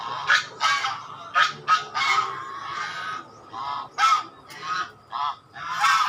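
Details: Repeated swan honks, brassy and nasal, sounding roughly every half second to second with uneven spacing and some softer trailing notes between the louder blasts.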